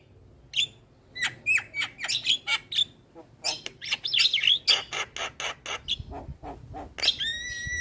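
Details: Tutor recording of a vigorous Javan myna: a busy mix of chirps, squawks and whistled notes, a dense burst of harsh rasps midway, ending with a clear wavering whistle.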